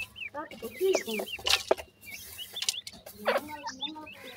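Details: Grey francolin chicks calling with thin rising and falling peeps, single or in short pairs, spread through the clip. Sharp clicks and rustling bursts mix in.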